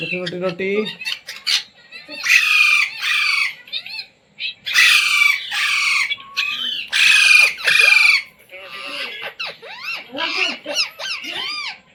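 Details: Pet Indian Ringneck parrot taught words such as "mummy", "mitthu" and "roti roti"; a long mix of harsh, repeated screeches and quieter, bubbling, warbled chatter with rising and falling notes.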